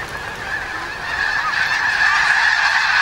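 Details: Snow geese on Fir Island, with Mount Baker in view in clearing weather: a dense, continuous chorus of many overlapping nasal honks from a large flock, steady and building slightly louder toward the end.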